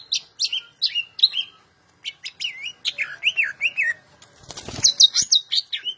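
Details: National champion greater green leafbird used as a song tutor, delivering twisting, warbled whistled phrases in quick bursts, with a brief rattling noise midway through.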